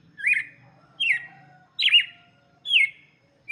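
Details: Red-cowled cardinal singing for chicks: four clear, slurred whistled phrases, each dropping and trailing off, spaced about every 0.8 seconds, with a faint low hum beneath.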